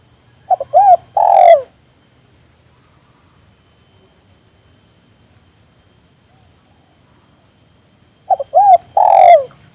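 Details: Spotted dove, calling companions to join in, gives one low coo-coo-croo phrase ending in a long descending note, then a long silence before the same phrase returns nearly eight seconds later.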